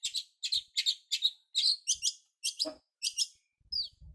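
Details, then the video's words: Young long-tailed shrike learning the Kunti style: crisp, chirping high notes in pairs and trios, evenly spaced, ending with a thin downslurred whistle; otherwise quiet. "Burung cendet muda , blajar Kunti"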